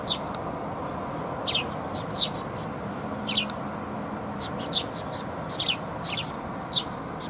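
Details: At a Tenmangu shrine on 30 October 2021, sparrows arriving to be fed chirp repeatedly, short high notes in loose pairs and singles every second or so, with a faint low hum beneath.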